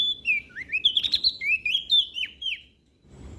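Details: Olive-backed tailorbird from West Nusa Tenggara singing vigorously, used to prompt quiet birds to sing: a fast, tumbling string of sharp chirps and short whistled, down-slurred notes, bright and high-pitched, ending abruptly with a little low background noise.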